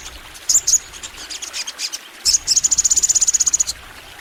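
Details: Crimson sunbird singing full out: a few high chirps and soft twitters, then a steady, fast, metallic trill of evenly spaced high pulses lasting more than a second.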